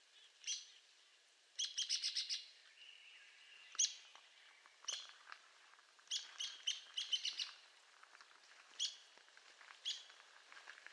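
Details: Arizona woodpecker calls spread over eleven seconds: single sharp high notes and several fast runs of clipped notes, along with a steady mid-pitched tone and scattered faint ticks.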